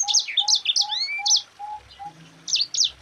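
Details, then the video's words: Yellow-fronted canary, locally called sanger or mozambik, singing a tight rolling 'ngerol' song meant for tutoring other birds: quick high buzzy chirps and down-slurred whistles in bursts, over a steady low tone repeating about every third of a second. "Suara Burung Sanger Gacor NGEROL RAPAT"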